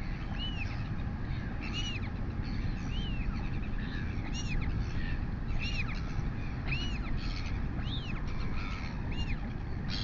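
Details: A royal albatross chick, fed by its mother in New Zealand on an August 2020 morning, gives a steady series of begging calls. Each is a short, bowed, whistly note, repeated roughly every second and a quarter, under heavy wind roar.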